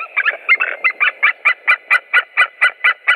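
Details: White-tailed eagles, with three birds present on 7 April 2017, give a run of yelping calls that starts ragged and overlapping, then settles into evenly spaced, loud, nasal notes roughly four per second over a soft hum.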